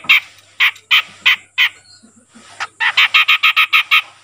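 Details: Grey-cheeked bulbul, a raw young bird becoming vocal. Spaced harsh nasal notes give way to a brief quiet spell, then a quickening burst of rasping notes repeated several times a second.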